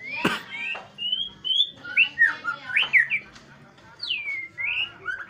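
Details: White-rumped shama singing in the morning: a varied run of clear, liquid whistles, some rising, some slurred downward, with short sweeping phrases spaced by brief gaps and a faint low hum behind.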